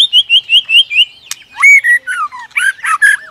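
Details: White-rumped shama, a female stirring rivals into fighting song: a quick run of six bright, slightly rising whistled notes, a sharp click, then looping slurred whistles and short harsh buzzes.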